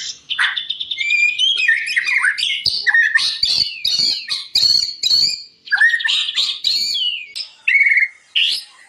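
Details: Energetic white-rumped shama song, recorded as master material for teaching other shamas: fast varied chattering phrases, squeaky notes and sharp clicks delivered almost without pause, then shorter separated whistles near the end.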